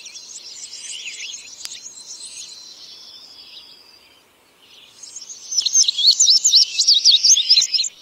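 An Indigo Bunting sings high, sweet, buzzy phrases of paired notes, a softer strain first, then a brighter burst after a brief pause.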